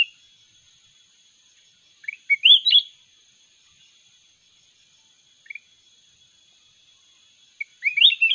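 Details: Red-whiskered bulbul from the wild singing in a contest, brief sweet whistled phrases at intervals over a steady high electronic-like tone.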